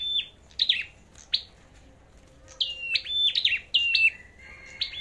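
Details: Competition song of a flowerpecker: bright high chips dropping into short level whistles, given in clustered bursts with pauses, ending in a longer steady whistle.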